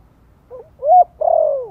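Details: Lure call of a spotted dove, Vietnam, in the soft Giọng Thổ voice used to rouse newly kept birds: a faint lead-in note, a clear rising coo, then a long smooth coo sinking in pitch.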